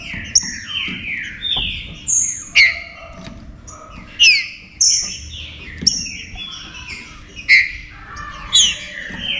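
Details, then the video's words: Green-winged saltators singing together in a warm-up recording aimed at rousing other saltators; repeated descending whistled phrases and sharp high notes, strong bursts every one to two seconds, voices overlapping. "ESQUENTE SEU TRINCA FERRO"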